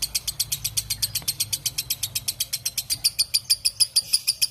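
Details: Lovebird producing a long, clear ngekek chatter, rapid high buzzy notes about seven a second that become louder and more ringing toward the end.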